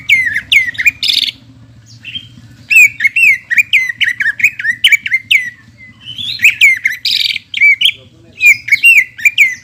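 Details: Lure song of a greater green leafbird, meant to stimulate birds after moulting: a continuous, varied stream of sharp whistles, chirps and slurred notes with dense rapid bursts and short gaps, a soft low hum underneath.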